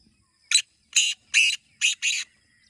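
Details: Black francolin, a kept bird in voice training, gives a loud, harsh, grating phrase of five rasping notes, one short and four longer, in under two seconds; otherwise quiet.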